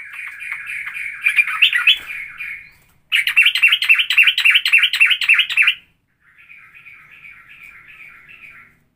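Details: Straw-headed bulbul song variation mixing straw-headed bulbul and cucak jowo styles: three bursts of fast, rolling, slightly buzzy trills, about three or four notes a second, separated by brief pauses.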